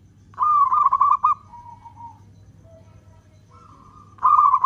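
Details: A local zebra dove gives its long-beat song, meant to lure other doves into singing. One rapid, bubbling coo phrase trails into softer notes, then a quiet gap before the next trilled phrase begins. Low hum throughout.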